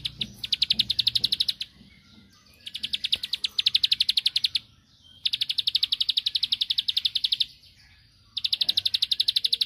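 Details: Bar-winged prinia (ciblek sawah) song meant to make a rival answer, delivered in four bursts of quick, regular, shrill notes, each lasting one to two seconds and separated by short pauses.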